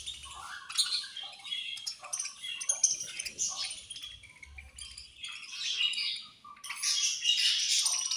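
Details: Several budgies eating food and squabbling, a continuous mix of rapid high chirps, chattering and scratchy warbling, growing louder and denser toward the end.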